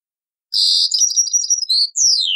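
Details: European goldfinch singing on an old cassette: a sharp buzzy note, then quick high chattering twitters and a clear falling whistle.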